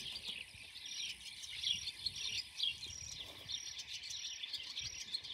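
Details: Blue-cheeked bee-eater colony in Turkey, May 2024: many birds call together in a steady, overlapping chorus of high, rolling, trilled notes, with a faint hiss of background noise beneath.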